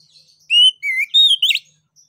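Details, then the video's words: Orange-headed thrush, also called anis kembang or punglor kembang, song used to prompt other birds to sing; a short phrase of clear whistled notes, one rising, one dipping, then higher slurred notes, ending in a brief buzzy burst. "ANIS KEMBANG NGEPLONG UNTUK PANCINGAN"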